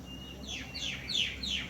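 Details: Great myna feeding a cricket to its young, giving four rasping downward-sweeping notes in quick succession, each falling from high to mid pitch about a third of a second apart, over faint low hum.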